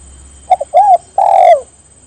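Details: Spotted dove calling to get other birds to join in: two short soft coos followed by two longer, mellow, slightly falling coos, low-pitched and clear over quiet background hiss.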